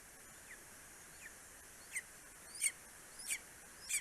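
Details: Greater spotted eagle in Estonia, 2 July 2020, 9:02 am, as a male brings prey to his four-week-old eaglet. Faint slurred notes at first, then louder sharp yelps with high overtones, about one every 0.7 seconds, over steady hiss.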